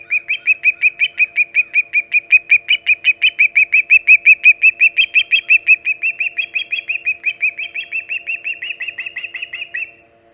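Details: Osprey arriving at dawn at the Hog Island nest, 13 August 2019, 5:37 am EDT; a long excited burst of about fifty rapid, piercing whistled chirps, close to three per second, holding for ten seconds before stopping abruptly.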